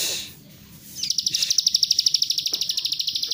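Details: Plain prinia song used to stir another bird to sing; after a brief pause, a rapid buzzy trill of high clipped pulses starts and runs steadily to the end.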